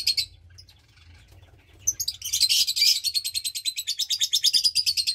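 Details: Roughly 20-day-old lovebird nestling from a Parblue Turquoise and Euwing Blue Opaline pair, two chicks present; brief chirp, quiet pause, then a sustained loud raspy pulsing chatter with quick regular beats.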